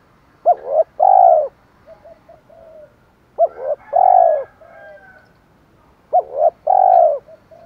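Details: Spotted dove repeating its 'thổ pha thúc' phrase to lure wild birds: three phrases about three seconds apart, each a sharp hooked note, a rising coo and a long rounded coo, with soft low murmurs between.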